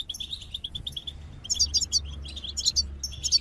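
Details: Goldfinch singing a steady string of short, clipped chip notes, followed by sharp, bright twittered phrases and whistled slurs.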